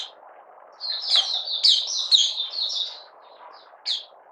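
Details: Buka sing of a Malaysian Oriental white-eye in minor moult, not in form, 31 July 2023: one quick tumbling phrase of high slurred chirps, then scattered single notes against a constant low hum.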